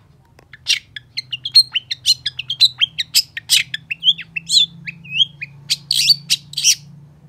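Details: Long-tailed shrike in energetic song: a rapid stream of whistled slurs, squeaky notes and harsh buzzy bursts, about two notes a second, varied in pitch, with a low background hum.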